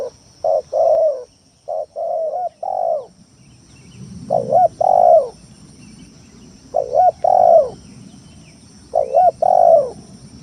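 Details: Spotted dove lure song, loud and lively, used to provoke rivals and coax quiet birds into calling: mellow cooing phrases, a short rapid run of coos followed by repeated two-part 'koo-kroo' notes every two to three seconds over faint background hum.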